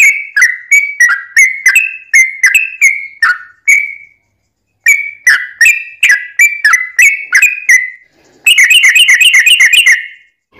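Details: Sooty-headed bulbul singing lively phrases to lure other birds into answering; two series of clear slurred whistles at an even pace, separated by a pause, ending in a fast chattering trill of bright notes.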